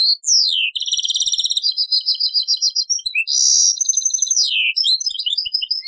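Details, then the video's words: European goldfinch song in the taqsrayn style, taken from an old cassette: a rapid, continuous stream of bright twittering, tinkling notes and buzzy trills, with short sweeping slurs mixed in and no pauses. No other sounds stand out. "تغريد تقصراين"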